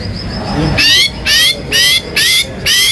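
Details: White-rumped shama, a national contest champion, in loud song: five harsh buzzy strokes spaced about half a second apart, each sweeping downward, after a stretch of low background rumble.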